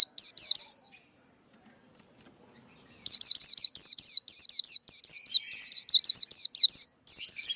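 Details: Male white-eye, song used to teach young birds and to lure birds to traps: a short trio of shrill notes, a pause, then a long, rapid run of high, clipped chirps.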